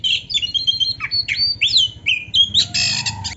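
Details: Oriental magpie-robin, black-breasted type, in lively full-isian training song meant to provoke rival males: rapid varied whistled phrases, chattery notes and rising slurs, ending in a dense buzzy rattling burst.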